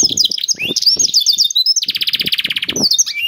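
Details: Canary singing to spur other canaries to sing: jumbled high chirps, then a steady rapid rattle-like trill of evenly spaced notes, with soft low knocking in the background.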